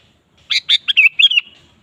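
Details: Sooty-headed bulbul in full 'gacor' song, offered as a lure to make a kept bulbul sing: one loud, quick phrase of six bubbly, liquid notes running together and fading in a soft trailing whistle.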